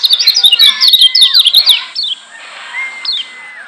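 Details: Lombok yellow white-eye, a song meant to make other white-eyes that hear it agitated and heated: fast bursts of high, sharp, twittering notes, then a long, steady whistled tone near the end.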